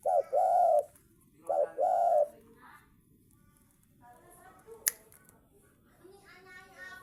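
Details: Spotted dove cooing, two short-then-long hollow coo pairs at the start, followed by quiet room sounds, a sharp snap and faint voices.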